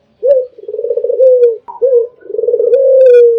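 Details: Albino spotted dove's melodious song for bird training: a low vibrating coo phrase, a brief higher note, then a second rolling pulsed coo easing into a long steady falling tone, with light clicking sounds.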